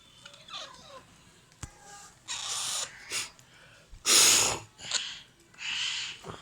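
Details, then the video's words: Hand-fed Alexandrine parakeet chicks begging at feeding time: a run of loud, breathy, wheezing rasps about half a second long, one stronger burst in the middle, with faint squeaks between. "FEEDING MY ALEXANDRINE PARROT CHICKS"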